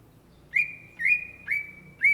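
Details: Greater green leafbird (cucak ijo) singing gacor-style: four clear whistles, each sweeping up then stretched into a steady sustained note, repeated roughly every half second over a soft low hum.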